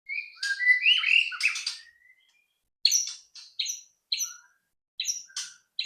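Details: Song of a white-rumped shama used as a lure to make other shamas sing: an opening tangle of whistles and harsh notes, then separate short sharp chips in loose repetition with gaps between them.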